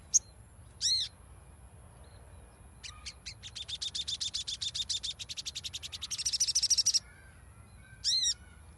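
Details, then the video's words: Crimson sunbird song played as a lure to make a stalled bird sing: single arched high notes, then a long, very rapid run of sharp high ticks that speeds into a shrill trill, with a steady thin high whine behind. "PANCINGAN SOGON MACET AGAR BUNYI"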